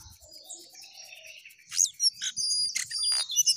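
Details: A busy Jongkangan song moving up and down in pitch. After a muffled start, loud high twitters, sharp chips and thin sustained whistles burst out strongly in the second half.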